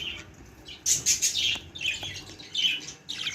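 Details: Baby budgerigar giving high, thin chirps and short scratchy squawks in quick bursts, with brief pauses between groups of calls.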